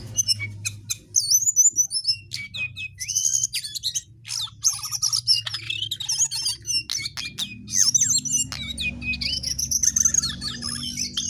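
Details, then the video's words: Vigorously singing jongkangan delivering a dense, continuous stream of high chattering notes, thin whistles and quick trills, hardly pausing over the whole stretch, with a faint low hum in the background. "Jongkangan GACOR DOOR"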